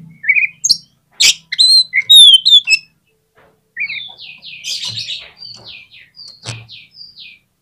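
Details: Oriental magpie-robin singing as a lure to make a reluctant magpie-robin respond. Loud varied whistles and harsh clicks come first, followed by a long series of quick descending chirped notes.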